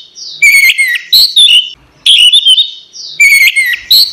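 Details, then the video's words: Caged orange-headed thrush song used to train other songbirds, three bright phrases of mixed whistles and quick chirps, each about a second long, separated by brief gaps. "suara burung anis merah | gacor | masteran"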